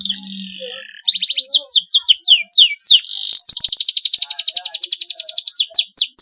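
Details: Canary in long song said to spur rival birds to sing: a soft low hum and faint notes give way to quick chirps and swoops, then a long loud buzzy trill of rapid pulses.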